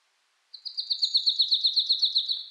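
A marsh tit gives a quick run of about fourteen bright, high chirps, around seven a second, steady in pitch, with nothing else heard.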